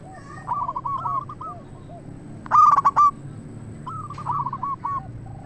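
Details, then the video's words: Zebra dove lure song: quieter stammering phrases of short coos from distant birds frame one loud, fast, rolling burst in the middle, over a noisy low background. "Perkutut Lokal Gacor RAJA PIKAT Ahlinya Bikin Semua Burung Perkutut Langsung Nyaut"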